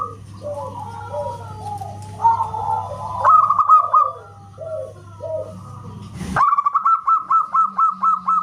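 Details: ['Zebra dove, a local perkutut, singing loudly in a whistle-like way: softer lower sliding notes first, then after a sharp bang a clear, regular series of short staccato notes, about two per second.']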